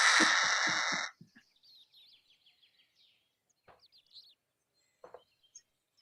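A Harris's Hawk gives one loud, harsh, grating rasp lasting about a second. Faint, thin chirping notes follow.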